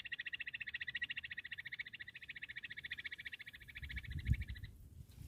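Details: Bush quail, hunting call: a long rapid pulsing trill held steady for over four seconds and then stopping, followed by a low thump and rumble.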